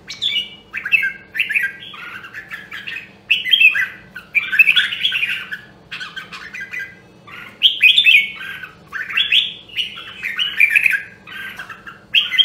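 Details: Red-whiskered bulbul of the Nam Đông, Huế voice, singing in training for competitive song: bright, warbled phrases rising and falling, each about a second long, with short gaps between them and a low steady hum beneath.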